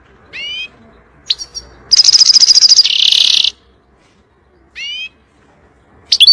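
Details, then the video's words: European goldfinch singing to teach young birds: short bright downslurred notes, a loud buzzy rapid trill lasting about a second and a half, then a harsh grating burst, with scattered sharp chirps and quiet pauses between phrases. "تغريد طائر الحسون نار لتعليم الفراخ"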